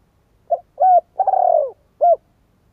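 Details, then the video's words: Oriental turtle dove giving one full cooing phrase: soft short coo, stronger coo, extended grating tremulous coo sliding down, and a closing coo, clean with no other sounds. "CHIM CU GÁY"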